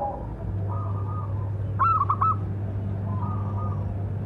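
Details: Local zebra dove with a big voice, its lure call used to provoke other doves: one short burst of quick staccato coos in the middle, with faint coos before and after over a steady low electrical hum.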